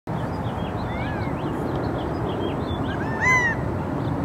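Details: A Gambel's quail calling from a paloverde tree in Tucson, Arizona, in March, gives a loud, nasal, slurred call near the end, with softer calls earlier, over steady wind rush and faint chirps from other small birds.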